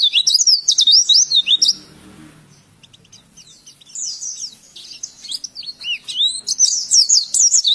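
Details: Training song of an oriental white-eye for other birds to learn: a burst of quick high chattering notes, a pause of about two seconds, then the rapid squeaky twitters and slurred whistles resume.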